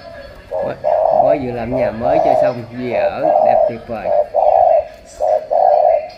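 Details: Spotted dove, described as 'tú', from Cà Mau, Vietnam, cooing in repeated short-then-long hollow phrases while a man talks loudly over the first half; the coos continue clearly afterward.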